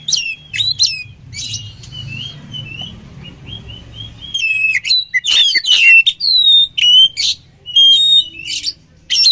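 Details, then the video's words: Oriental magpie-robin song in a combination style, used to train other magpie-robins: bright whistled notes with steep upward and downward sweeps, separated by short harsh chattering bursts. A quieter stretch with faint low rumble comes midway, then dense, loud phrases resume. "SUARA KACER KOMBINASI AMPUH UNTUK MELATIH MENTAL KACER"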